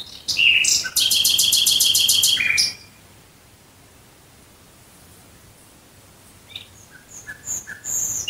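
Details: Near Dresden a Nightingale sings a burst of sharp notes and a rapid, high, rattling trill with a low tone beneath. Several seconds of quiet follow, then faint scattered chips return.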